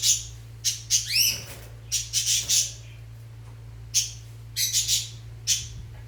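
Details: Mating Fischer's lovebirds preparing a nest: sharp, shrill squawks and chirps in irregular clusters, some with rising-falling sweeps, spaced by short pauses over a steady low background hum.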